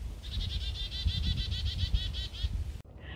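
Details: A chickadee warns of danger while small birds mob a screech owl out in daytime in McHenry County. It gives a rapid run of about fourteen buzzy, high, evenly spaced notes over two seconds, over a low rumbling background.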